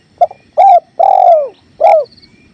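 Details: Spotted dove (tekukur) in a masteran with river sounds: a short note, then a mellow coo, a long level coo drooping at its end, and a falling final coo, with faint water behind.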